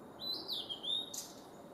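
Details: Male blue-and-white flycatcher singing at Kawaguchiko Field Center, Japan, on 4 May 2017: a smooth phrase of high whistles that rises, then glides gently down, closed by a short, sharp burst.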